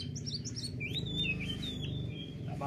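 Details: Oriental magpie-robin with an owner, pressing for a rival to challenge; quick chirps followed by long slurred whistles and a drawn-out warbled phrase, over a steady low droning hum.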